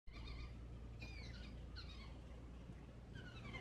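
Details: A fledged white-throated babbler chick begs for food from its mother, giving four bursts of high, falling, slightly nasal begging calls, roughly one per second, over a steady low engine hum.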